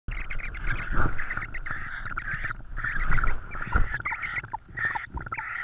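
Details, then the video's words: Tawny owl at a nest in Estonia on the evening of 4 May 2013, during a food delivery of an insect: dense, rapid, harsh chattering notes in overlapping bursts, with low rumbling noise beneath. "TawnyOwl 2013-05-04-21h09m - food again , insect"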